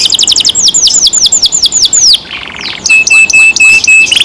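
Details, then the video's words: Canary kept in care sings loudly, rapid high notes then a row of falling whistles, a brief buzzy patch, and a steady series of short flat piping notes. "canary Nice sound"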